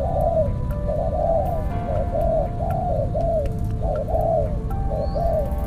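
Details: New decoy spotted dove used for trapping, giving repeated mellow, low coos roughly once a second, with faint steady tones and music in the background.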